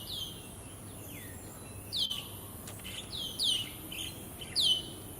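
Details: A male pink-necked green pigeon (orange breast) calls high on a treetop in Singapore on 20 May 2019, giving distinct high, whistled "chip" notes that sweep downward in short bursts every second or so over background hiss and loud car noise.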